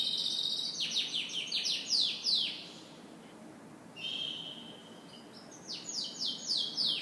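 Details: Morning canary song with bursts of quick descending chirps in rapid series, a gap of near silence, a level whistled tone, then another trilled run of sweeps.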